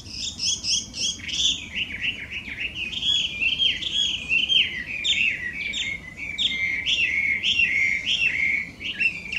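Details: Wild Chinese hwamei, a loud invasive introduced bird in Japan, singing a rich, loud run of whistled phrases. The phrases are varied, slurred and rising and falling, and they follow each other almost continuously. No other sounds are prominent.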